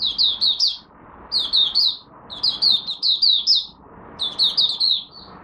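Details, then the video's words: Caged Malaysian oriental white-eye giving its first morning warm-up song, dated 1 August 2023: four bursts of rapid, high, sweet downslurred whistled notes, each burst three to five notes, separated by brief pauses, with faint room hum. "Malaysian Mata Puteh Buka Sing Poseidon 1st warm up for the day"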